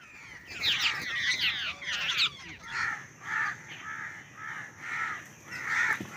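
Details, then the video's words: Babblers during bird hunting with a net trap: a burst of harsh, overlapping squawky chatter, then a series of short raspy calls repeated roughly every half second. "Babbler Birds Trap"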